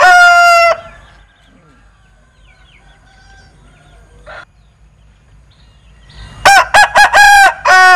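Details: Linh Kê chicken's strange crow: a sustained note fades out at the start, a quiet pause follows, then a new crow of rapid, choppy bursts and a held final note.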